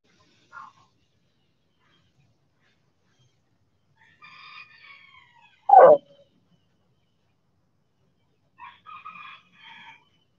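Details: Backyard chickens in the sun: a distant harmonic rooster crow, one sharp loud knock or thud in the middle, and a few short faint crow-like notes near the end, with long silent gaps.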